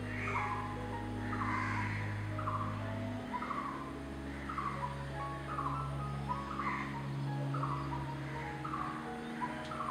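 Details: Coppersmith barbet communicating with its partner, giving hollow, metallic, metronomic 'tuk' notes about once every second, possibly two birds overlapping, over a steady low engine-like hum.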